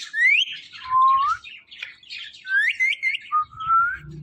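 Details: Pet Indian ringneck parakeet repeats short, upslurred whistles interspersed with scratchy chatter; a quick series of three rising notes comes near the end.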